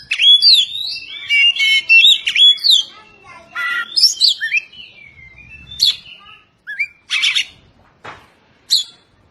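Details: Caged Oriental magpie-robin training song, 'tembakan rapat' style with close-set phrases: a fast jumble of sweet whistles and scratchy chirps, then sparser harsh bursts separated by short pauses.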